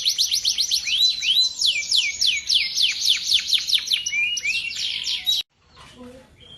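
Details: Male canary, a competition champion, singing prolifically: fast, bright whistled trills and repeated descending sweeps in rapid series for over five seconds, ending abruptly, followed by faint soft background sounds.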